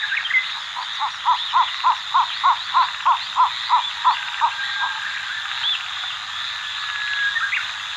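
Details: {'caption': 'Pingtung County, Taiwan, 14 July 2022: a cinnamon bittern gives a run of about eleven deep, clucking notes at a steady pace of about three per second. A continuous high insect buzz and scattered bird chirps sound behind it.'}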